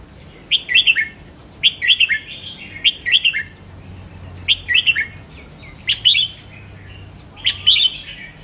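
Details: Red-whiskered bulbul song used to stimulate caged birds. Repeated short phrases of three or four cheerful, slurred whistles come about once a second in a steady rhythm, with a faint low hum behind.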